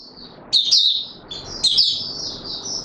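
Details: Oriental white-eye in courtship mode; two bursts of high, slurred twittering notes separated by a pause, over steady low background hum.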